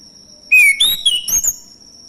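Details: Male orange-headed thrush, used as a lure to prompt singing from others: one brief whistled phrase with a falling first note, then rising and wavering higher notes, backed by a continuous high insect-like tone.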